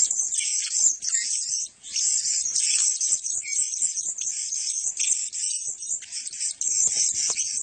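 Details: Male blue-crowned hanging parrots keep up a dense, shrill chatter of thin, high-pitched squeaks and twitters from many birds calling over each other, with no pauses.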